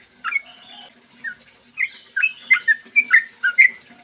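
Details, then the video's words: Yellow-vented bulbul giving clear morning song as a lure to set other bulbuls singing: a few spaced liquid whistles, then a quicker cluster of bubbly slurred notes toward the end, soft low hum throughout. "trucukan gacor ROPEL PANJANG buat pancingan trucukan agar bunyi"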